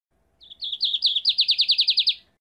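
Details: Lined seedeater song: a few high thin introductory notes rising into a fast, even trill of about ten ringing, slurred notes, loud and clear against a silent background, lasting under two seconds.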